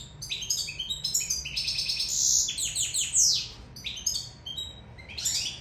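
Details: Sicilian European goldfinch singing while in love: a fast, lively twittering song of high tinkling notes, buzzy trills and rapid descending sweeps in quick bursts, with continuous chatter throughout.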